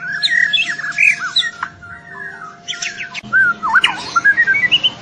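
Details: Juvenile white-rumped shama at the trotol stage singing loudly: varied looping whistles, sharp chips and slurred phrases, with a steady faint hum beneath.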